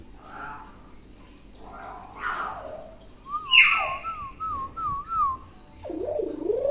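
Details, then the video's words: Tame, talkative common hill myna: breathy voice-like sounds, a harsh burst, then a long wavering whistle trilling up and down, followed by a loud swooping, warbled call. "Beo Jinak Pintar Ngomong"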